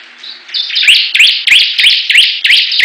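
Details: Bar-winged prinia competing with rivals: a soft start, then loud rapid series of upslurred chirps repeated about three per second over a continuous high buzzing background from other birds.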